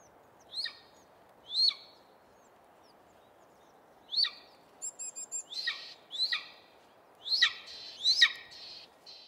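Golden Eagle giving thin, high yelping notes, each sharply rising then falling, repeated irregularly about every second, with a brief rapid ticking burst and steady background hiss.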